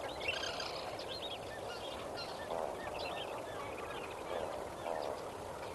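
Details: Sunrise gathering of lesser flamingos at Kamfers Dam, 18 May 2024, with scattered honks and gabbling calls from many birds, some deeper grunting notes, against steady rushing background noise.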